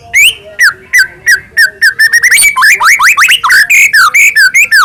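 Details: White-rumped shama lure song to make other shamas sing and get agitated: varied whistled notes, first spaced and falling, then a fast tumbling run of rising and falling slurs.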